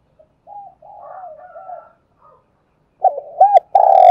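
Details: Spotted dove luring and calling in the morning; faint soft coos from a distant bird first, then a loud near sequence of short arched coos ending in a long sustained note.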